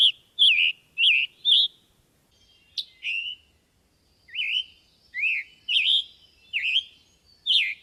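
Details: Scarlet Tanager giving hoarse, burry, robin-like phrases, as if with a sore throat, in quick bursts of a dozen short notes over eight seconds, with the diagnostic sharp chick-burr call among them.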